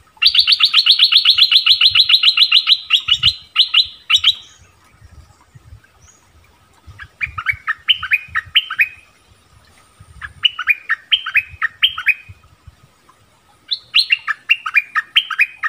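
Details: Orange-bellied flowerpecker lure song, also used for training young birds: it opens with a long, very fast trill of high uniform notes lasting about three seconds. Three later bursts of bouncing, slurred chirps follow, separated by quiet gaps.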